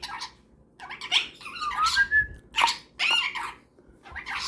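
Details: Before bed, a pet cockatiel exchanges chatter with a superb parrot in a room: choppy squeaks and short whistled glides in uneven bursts, separated by brief gaps.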